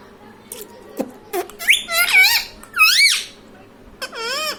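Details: Parrot imitating speech ("mummy papa"): clicks and taps, then a run of shrill, wavering, voice-like syllables and a final long, looping word-like call.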